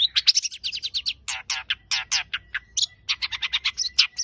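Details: Long-tailed shrike pouring out a fast, jumbled song of high chips and harsher, broader rasping notes in quick bursts, the phrases changing constantly, with a low background hum.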